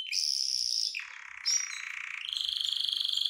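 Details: Excited canary wanting to mate, singing sustained buzzy, rolling high notes that drop to a lower harsh trill, then step up again into a fast vibrating tour.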